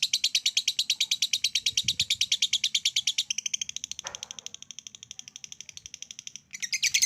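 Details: Lovebird ngekek, a long trill used to stimulate other lovebirds to trill: rapid high buzzy pulses repeated about three per second for three seconds, then a thinner steadier trill, a brief break, and a louder burst at the end.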